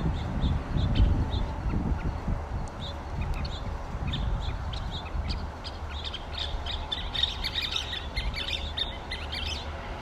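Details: Scissor-tailed flycatcher calling: thin, high chattering notes in loose bursts, some clustered more densely near the end, over a steady low rumble of background noise.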